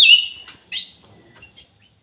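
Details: Orange-headed thrush singing in an aviary, a clear whistled phrase that leaps upward into high, drawn-out sliding whistles lasting under two seconds.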